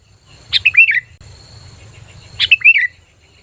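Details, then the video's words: Sooty-headed bulbul giving a lure call that attracts other bulbuls: two loud, clear phrases about two seconds apart, each a sharp high note followed by a bubbly, descending whistled flourish. "SUARA PANGGILAN PIKAT BURUNG KUTILANG GACOR"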